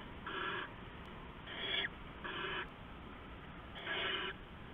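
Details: Night at an owl nest on 15 November 2015, around 4:30 AM, with an adult delivering rats to owlets; four rasping, noisy hisses spaced roughly a second apart over faint background hum.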